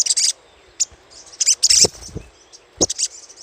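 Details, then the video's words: Chattering little spiderhunter lure call: loud, harsh, high chip bursts at the start and middle, then a single sharp note, with low rumbling knocks between. "PANCINGAN SUARA CRECETAN SOGOK ONTONG"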